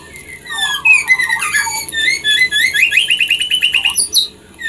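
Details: Captive white-rumped shama song meant to stimulate mating: a rich, varied stream of fluty whistles and slurs building into a rapid run of repeated rising notes, ending with a couple of high chips.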